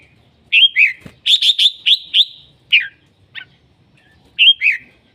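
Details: Red-whiskered bulbul in full voice: a quick run of four or five clear chirps, then slurred whistles dropping in pitch, with a lilting two-note phrase returning at the end.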